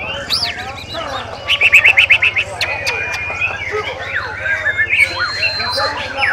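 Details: White-rumped shama (Murai Batu) at a songbird contest practice on 7 December 2017, giving a rapid series of about eight clear repeated whistled notes amid many other birds singing, with a constant low electrical hum.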